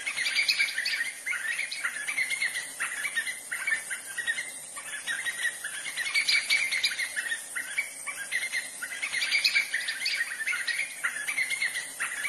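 White-fronted nunbird song: busy, chattering bursts of mid-high notes that swell every few seconds, over a steady high insect hiss.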